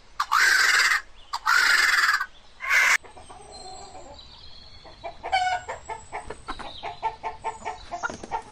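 Chicken: three loud, harsh squawking bursts, then a run of soft, quick clucks about once a second, with faint high chirps from small birds behind.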